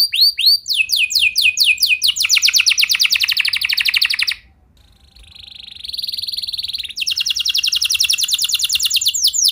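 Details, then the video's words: Singing canary offering a 'lagu mewah' performance meant to trigger other canaries: swept whistles and rapid rolls, a brief silence, a softer steady buzzing trill, then loud fast trilling resumes. "Kenari Gacor Lagu Mewah! Buat Kenari Mana Saja Bakalan Langsung Ikut Gacor Panjang"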